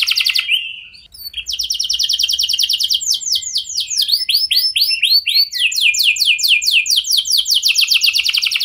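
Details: Lure song from a canary, played so other canaries answer: a brief warble, a short pause, then long, high rolling trills of rapid repeated notes, changing rhythm from slower swoops to fast even rattles.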